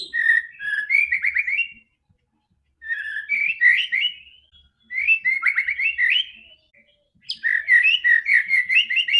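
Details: White-rumped shama song played to prompt a quiet bird to sing: rich whistled phrases with rapid warbled notes, delivered in bursts of about two seconds separated by short pauses.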